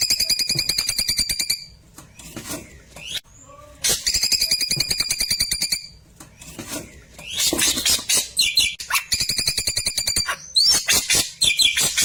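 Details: Klewer bird singing a 'tembakan' song used to train white-rumped shamas: fast, steady runs of repeated ringing notes alternate with harsh chattering bursts and quick whistled sweeps, with brief quieter gaps between.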